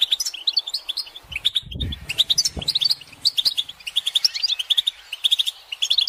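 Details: European goldfinch flock twittering, the calls used to stimulate male singing: quick, jangling high notes repeated in rapid clusters throughout, with a muffled low rumble near the two-second mark.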